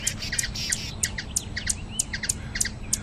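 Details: Rapid, sharp high-pitched hummingbird chips from Brazil, about three per second, each with a softer lower squeak after it, over gentle low background noise.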